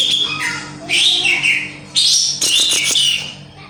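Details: Javan grey-cheeked bulbul (cucak jenggot jawa): bright, high, slurred whistles and chirps in quick phrases, some falling in pitch, with sharp clicks near the end and a faint steady hum underneath.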